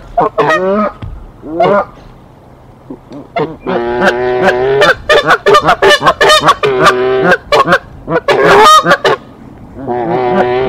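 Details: Canada geese in Decorah, 1 April 2024, defending their nest as an intruder goose attacks and lays an egg: quick bursts of harsh honks, then a long run of rapid clipped honking, over two per second.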